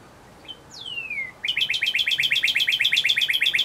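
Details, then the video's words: Male northern cardinal: a long downslurred whistle sliding from high to low, then a rapid series of repeated chip-like slurred notes, about four per second, loud and clear over quiet background. "Cardinal Sounds"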